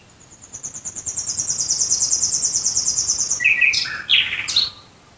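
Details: Nightingale singing at night near Dresden, Germany: a long, rapid, high-pitched ticking trill that swells in loudness, followed by a few loud chirped and whistled notes.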